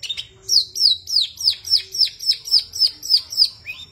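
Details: Long-tailed shrike, locally called cendet, singing vigorously: a fast, even series of about twelve sharp, high, downslurred whistled notes, roughly three per second, with a faint low hum behind.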